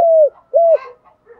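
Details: Brief snatch of a spotted dove's 'giọng đồng' morning lure call to other doves: a long smooth falling coo, then a shorter arched coo, with faint chirps from other birds after.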